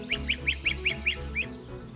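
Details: Great crested flycatcher visiting backyard feeders in Maryland: seven short, rising whistled notes spaced evenly over about one and a half seconds, with background music underneath.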